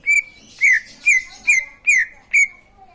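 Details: Six ringing whistled notes from a green leafbird, each a quick downward slur settling into a steady tone, spaced about half a second apart.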